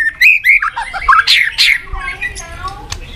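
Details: Murai batu, or white-rumped shama, singing a lure song to stir a sluggish bird into fighting form; quick warbled whistles and sweeping notes, then softer scratchy phrases trailing off.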